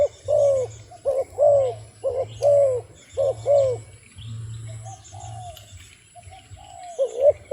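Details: A run of quick, full coos from a wild dove, each falling away, followed by a quieter pause and a single late coo, over a low hum.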